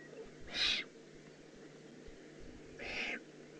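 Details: Eurasian eagle-owl juvenile, Eifel, Germany, 18 June 2016: a loud hoarse hiss followed some two seconds later by a slightly softer one, over faint rumbling background.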